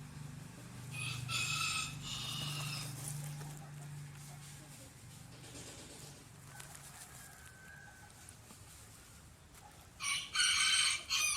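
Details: Rooster crowing in two bursts: a harmonic crow early on over a steady low hum, then a louder, brighter crow near the end.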